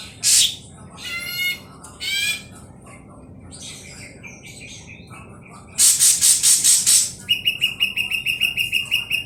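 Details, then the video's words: Ashy drongo used as a lure to trigger song. Harsh buzzy bursts give way to scattered soft notes, then a fast train of loud, scratchy notes that shifts into a rapid, rhythmic series of short, clear notes. "pancingan bahan sri gunting abu abu,lgsg bunyi"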